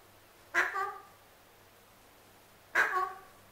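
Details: Pet male Alexandrine parrot begging for his apple: two harsh, loud squawks about two seconds apart, each with a sharp buzzy onset and a short ringing harmonic tail, in a quiet setting.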